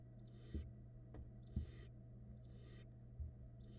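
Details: Barn owl nestlings in a Florida nest-box camera during feeding, one swallowing a rat, chicks hatched in February 2022; four harsh, hissing snore-like bursts about a second apart over a steady low electrical hum, with faint knocks.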